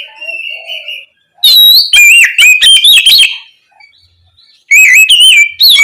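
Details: Calling to a companion, an Oriental magpie-robin (kacer) opens with a soft sustained whistle, then bursts into loud, rapid chirps and wavering whistled notes, pauses briefly, and resumes with another vigorous warbled phrase.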